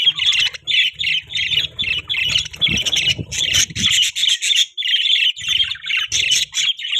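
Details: Caged budgerigars at a breeding setup repeat rhythmic squawky chirps about three per second, a low hum and brief rustle underneath.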